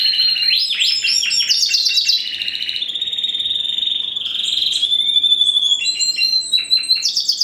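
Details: Bred-line canary, a 2015 first-generation Spanish Timbrado × wild canary cross, sings quick clipped notes, then a long steady metallic trill held for several seconds before choppy varied phrases return.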